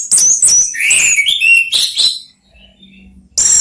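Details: Song exchanged among three Orange-headed thrushes. A loud, rapid mix of high squeaky notes and sweet descending whistles lasts about two seconds, followed by quiet and a fresh loud onset.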